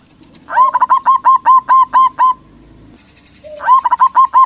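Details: Local zebra dove sings loudly to provoke other doves into answering. A steady string of about ten clear, rising-and-falling coo notes comes roughly twice a second, then a second faster series begins.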